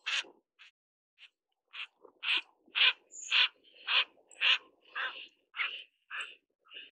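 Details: Mandarin duck (Aix galericulata) during mating gives a run of about a dozen short, harsh, clipped notes, roughly two per second, steady and fairly high in pitch.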